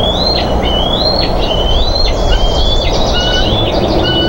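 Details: Bald eagles on a Minnesota nest cam, 20 June 2014, squabbling as one quickly grabs a fish and mantles it: high, thin whistled notes, each rising or level then dropping sharply, in a rapid chattering series over a steady noisy hiss.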